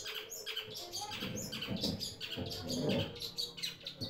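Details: A long-tailed shrike kept as a house guard gives harsh, scratchy chattering bursts in quick succession, calling out when people arrive, with low murmuring in the background.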